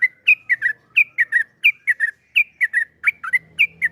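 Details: Yellow-vented bulbul giving long 'ropel panjang' song, used as a lure for other bulbuls: short, gurgling phrases of three or four whistled notes, each repeated after a brief gap in a clean recording.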